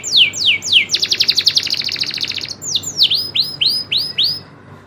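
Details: Kenari loper, a local canary, singing with rolls: sweeping downslurs, a dense fast trill, then a string of V-shaped whistled swoops.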